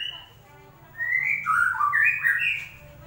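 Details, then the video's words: Lure song of a white-rumped shama for a bird that has gone quiet: after a second of near silence, a burst of varied whistled notes rises and falls over a faint low hum. "pancingan burung murai batu macet bunyi"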